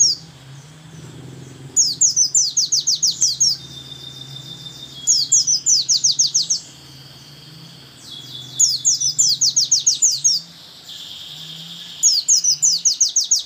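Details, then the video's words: A white-eye (pleci) sings a monotonous 'tembakan' song in a trilling 'geter' style: four high, fast trilled bursts of about a dozen sharp notes each, roughly every three seconds, over a faint low hum. "Pleci tembakan monoton, satu lagu gaya geter geter"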